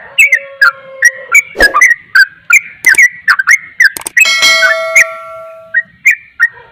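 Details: Sooty-headed bulbul giving a rapid 'ropel' song said to agitate other bulbuls: quick, slurred whistled notes repeated in a busy run, with sharp clicks, a long steady low tone and a brief noisy burst near the end.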